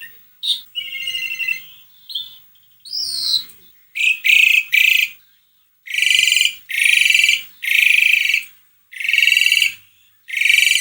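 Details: Asian pied starling song used to lure another bird into singing: loud harsh buzzy bursts and grating notes, some whistled slurs, in phrases about a second long separated by short pauses.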